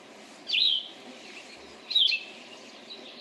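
Cassin's Vireo singing short, burry, slurred phrases about a second and a half apart, as if asking and answering itself, over a faint steady hiss.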